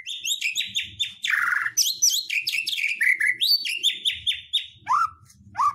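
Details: Provoking song of a white-rumped shama, played to draw other birds into singing: dense rapid series of bright whistled and chattering notes, repeated downward-slurred phrases, one harsh buzzy burst, faint low rumble behind.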